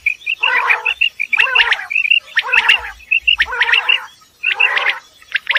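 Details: Common quail calling in the morning at Dera Ghazi Khan, Pakistan: rows of short, bright clipped notes alternate with bursts of harsher, layered grating calls, falling into groups about once a second with brief pauses between.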